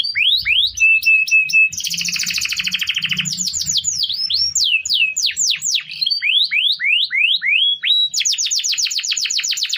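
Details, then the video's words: Canary song used as a training model for other songbirds: rapid loud phrases of sharp rising and falling whistled sweeps, buzzy trills and rolling chatter, shifting between patterns every second or two. "Masteran burung kenari"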